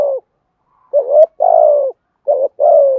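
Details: Spotted dove in the 'thúc gù' cooing style, used for rousing decoy birds: brisk low coos, a rising note then a long slightly falling coo, repeated twice with short gaps.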